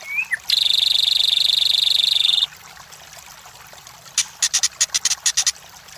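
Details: White-rumped shama song used as a training and lure recording to provoke competition birds: a long, dense, buzzy rattling trill held about two seconds, then a quiet gap and a burst of sharp, high clicking notes in quick succession.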